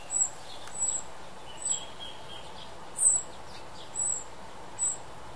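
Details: Young New Zealand Tūī giving six thin, piercing high notes at uneven intervals of roughly one second, with soft lower whistles in the gaps and constant low ambient noise.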